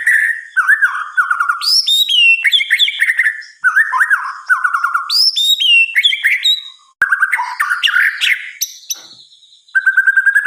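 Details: At night, a white-rumped shama delivers loud varied song: clear whistles mixed with high, sharp upslurred notes and fast rolling phrases, separated by brief pauses.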